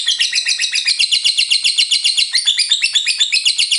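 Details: Lovebird in full ngekek, a long continuous chattering song with pauses for water of one to three minutes: rapid high buzzy trills of about four notes a second, clear, with no other sounds.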